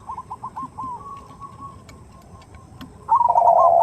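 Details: Perkutut, or zebra dove, as a female calling the male in the 'nutut' style for luring. Faint quick higher clipped notes over background hiss and ticking, then a loud low bubbling coo at the end.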